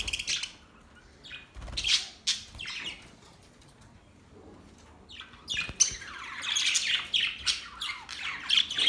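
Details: Australian budgies giving short harsh squawks and chirps, sparse in the first half, then a denser run of scratchy high chatter in the final seconds.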